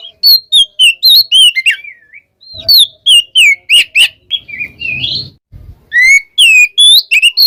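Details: Oriental magpie-robin, ngeplong style, calling a rival: bright whistled notes with quick downward slurs in rapid series, a soft rustling noise midway, then further loud, clear, looping whistles.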